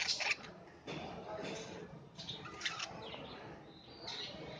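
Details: A Holland show budgerigar pair, ready for breeding and checking their nest box, chatter in harsh, scratchy squawks and quick high chirps, with a flutter of wings.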